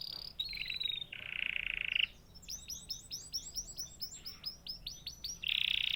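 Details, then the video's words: Canary song with two buzzy rolled tones at slightly different pitches, then a clear series of about a dozen evenly spaced chirped notes, ending on another loud buzzy roll. "natural canary chirping sound"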